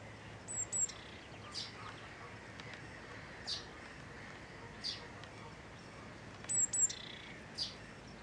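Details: Willow tits coming to a feeder at Ken Dee Marshes RSPB reserve, Dumfries & Galloway, give very high, thin paired notes and short soft chips a few seconds apart over a quiet background with a faint low hum.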